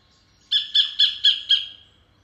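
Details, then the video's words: Sacred kingfisher (Todiramphus sanctus), a perch-hunting bird, gives five sharp, high notes in a quick even series, about four per second, each with a slight downward inflection; nothing else is heard. "Sounds of Todiramphus sanctus Sacred Kingfisher"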